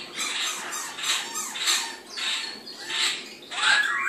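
White-cheeked laughingthrushes give harsh, scratchy squawking bursts, repeated roughly every half second.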